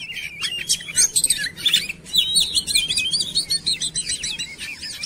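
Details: Lure recording of a singing kacer (oriental magpie-robin): fast, jumbled high twitters and slurred whistles in quick bursts, a rich continuous warble.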